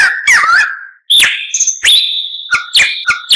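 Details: White-rumped shama song from a masteran tutor recording: a warbled downward slur, a brief pause, then long steady high whistles broken by sharp chips and short clear notes.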